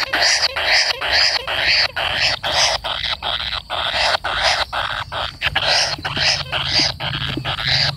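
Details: Kingfisher chick, waiting for a parent, keeps up a rapid run of harsh, scratchy begging rasps, roughly two each second, with a faint low hum in the background.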